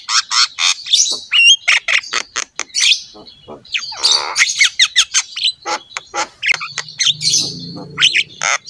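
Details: Javan myna in full, vigorous song, used as a training recording to get other mynas singing: dense bursts of harsh chattering and squawky notes with a few thin rising whistles, nearly continuous, plus a low hum late on.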